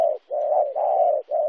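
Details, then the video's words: Spotted dove cooing, Kon Tum, Vietnam, 26 January 2016: loud, mellow mid-pitched coo notes, a short one followed by two longer drawn-out ones, separated by brief gaps, against a quiet background. "cu gay"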